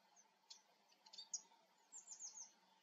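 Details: Eurasian siskin giving faint, very high chirps, then a short run of rapid, slightly wavering whistled notes, heard over a low steady hum.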